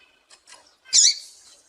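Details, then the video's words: A female seedeater (papa-capim), whose call is used to stimulate males, gives one bright, high, buzzy chip, preceded by two faint soft chirps; no other sounds. "Piado de fêmea de papa capim"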